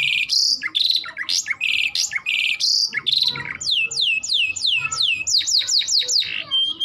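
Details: Canary singing loudly and continuously: dense buzzy trills around the start, then a run of clear whistled notes sweeping downward, repeated about twice per second, ending in faster rising-falling phrases and a steady whistle; no other sounds.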